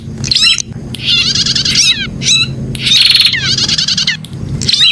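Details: Prinia heard in a 'pijat' recording: intense scratchy, rattling phrases of rapidly repeated high notes with short sharp chirps between them, coming in bursts about one second long, over a faint low background drone.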